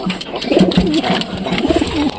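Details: Pigeons cooing in a small room: low, throaty rolling coos in short repeated bursts, overlapping one another, over a steady mechanical hum like an engine or machine.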